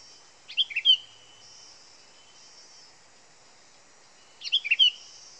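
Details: Sooty-headed bulbul, a lure recording: two short bubbly phrases of quick liquid notes about four seconds apart, over a steady high insect hum.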